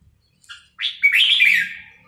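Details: A caged Red-whiskered Bulbul, tamed over about two months and now singing confidently before the camera, gives a short high chirp, then a bright, liquid, warbled phrase lasting about a second, over a faint low hum.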